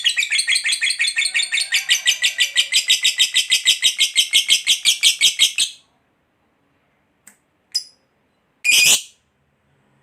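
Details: Lovebird fighter giving ngekek panjang, a long chatter to provoke other lovebirds to respond: nearly six seconds of rapid shrill rattling notes, then silence broken by a few short sharp chirps.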